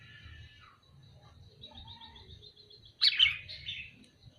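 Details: Sooty-headed bulbul calling: one loud, bright, burry chirp near the end, after a quiet stretch with faint, thin notes and a low background rumble.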